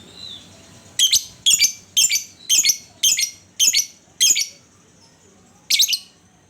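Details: Lovebird lure song to stir other lovebirds into singing: a run of seven harsh, high, rasping bursts repeated about every half second, a short pause, then one more burst.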